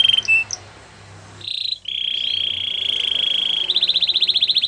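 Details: Canary in Belgian-style song: brief high notes, then a long steady ringing whistled trill held for nearly two seconds, ending in a quicker pulsed rattle of repeated notes over faint background hum.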